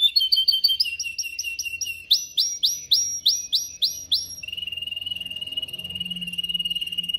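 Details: Canary song for teaching canaries to sing: fast rolled notes, then a series of loud swept chirps about three per second, ending in a steady fine trill.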